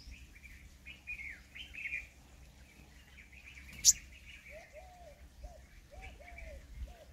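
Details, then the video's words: Purple sunbird, also called purple-rumped sunbird, giving a quick run of bright chirps. A different bird then answers with lower arched whistled notes, with one sharp click midway. "Purple Sunbird Sound"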